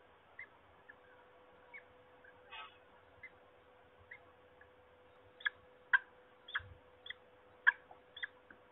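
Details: Peregrine falcon calling at Trzebież, Poland, recorded 26 March 2021: scattered soft notes, then a louder series of rasping calls, with a faint rustle and a steady humming tone beneath.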